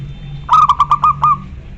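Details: Loud-voiced local zebra dove calling a rival: one cooing phrase of six quick, evenly pulsed low notes, the last drawn out slightly longer, against a faint background hum.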